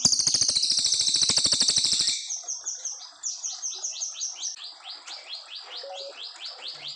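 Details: Long 'nembak panjang' song of a brown fulvetta from Indonesia, used as a master recording for training young white-rumped shamas. It opens with two seconds of loud, rapid buzzy trill, then a quick run of high, downslurred notes at about four per second.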